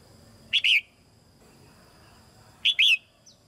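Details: Female red-whiskered bulbul kept in a cage, singing to get young birds singing more; two matching liquid phrases about two seconds apart, each a brief note and a longer downward-slurred whistle.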